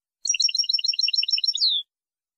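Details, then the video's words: A goldfinch gives a fast, even string of crisp pulsed notes lasting about one and a half seconds, then a clear descending whistle. No other sounds are heard. "تغريد حسون"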